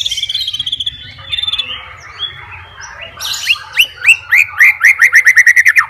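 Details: White-rumped shama seeking a rival to fight: soft warbled twitters at first, then a crisp series of bright, repeated down-slurred whistles delivered about three per second, growing louder.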